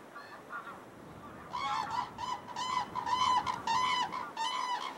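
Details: Common cranes calling at a spring migration stopover in Falköping, Sweden, where thousands gather and pairs dance to bond; after a quiet start, loud trumpeting, rolling calls from several birds overlap and repeat irregularly over a steady hiss.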